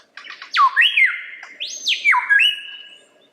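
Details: Lyrebird song of long, clear swooping whistles that dive steeply, hold steady, then leap upward again, delivered as one unbroken flowing phrase over a soft background hum.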